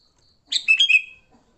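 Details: Sooty-headed bulbul, fighting song used to attract other bulbuls: one quick phrase of four bright, bubbly chirps, falling slightly, in otherwise quiet surroundings.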